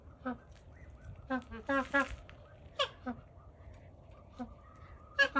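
Magpie goose giving loud, resonant honks, singly and in a quick burst of four or five, with a steady low hum in the background.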